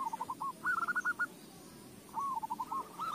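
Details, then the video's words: Zebra dove song used as a lure to get other doves singing: short, fairly faint rolling coos broken into quick stuttered notes, in two phrases separated by a brief gap, over low background noise. "AWAS KUTUTMU JADI GACOR !! Pancingan AMPUH"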